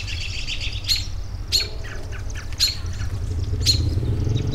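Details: Birds calling for relaxation: sharp, high, downward chips roughly once a second, with softer twittering notes between them, all over a constant low background hum.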